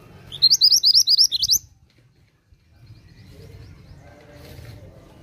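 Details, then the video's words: Oriental magpie-robin singing vigorously: a quick burst of about nine bright, upslurred whistled notes, steady and evenly spaced, lasting just over a second, then quiet with a low background rumble. "BURUNG MANTENAN GACOR!"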